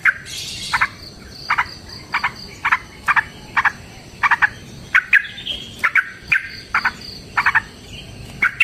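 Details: Yellow-vented bulbul, a long fighting song used as a lure to make other bulbuls sing: short bright chipping notes repeated about twice a second, with a steady high insect hum behind.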